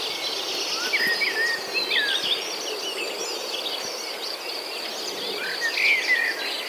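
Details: Chirping birds amid green corn plants and palm trees, giving brief high twitters and upslurred chirps at irregular intervals, several callers overlapping against a constant buzzing background of insects.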